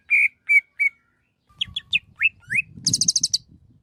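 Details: Greater green leafbird singing three clear whistled notes, then sharp upslurred chirps and a fast high trilled series, with low rumbling and faint knocking handling noise underneath the later phrases.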